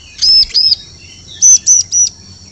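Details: Two high, arched chirps from a bar-winged prinia, a brief pause, then three slightly higher notes in quick succession. The call is used to lure birds in the forest.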